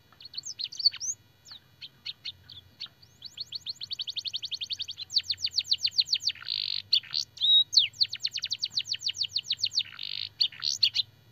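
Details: Canary master song used for training canaries, carrying blackthroat and sanger phrases: fast high trills of evenly repeated sharp notes, broken by brief buzzy bursts and quick whistled flourishes, with a faint low hum underneath.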